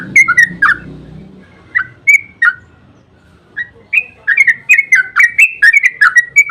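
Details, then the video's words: Yellow-vented bulbul lure song, long 'ropel' style for prompting other birds to respond: scattered bubbly notes with faint low rumble at first, building into a dense, rapid chattering burst near the end. "Suara burung trucukan GACOR ROPEL PANJANG Pancingan ampuh buat trucukan JADIKAN burung NYAUT emosi"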